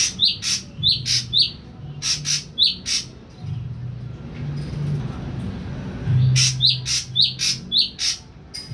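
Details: Caged young Ashy drongo, fully weaned onto pellet feed for three weeks, beginning to vocalise: rapid runs of short, high, slurred chirps with clicky bursts, a pause, then another quick series over a low hum.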